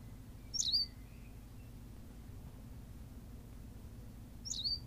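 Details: Berthelot's pipit recorded on La Gomera in the Canary Islands: two quick, thin high chirps about four seconds apart over a quiet low background hum.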